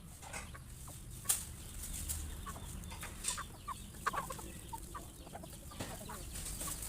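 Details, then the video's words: Many chickens at a farm feed, surprised by a noise mid-meal; sparse short clucks and chirps between sharp pecking clicks, low rumble underneath. "Many chickens are surprised when they hear a noise while eating their next meal"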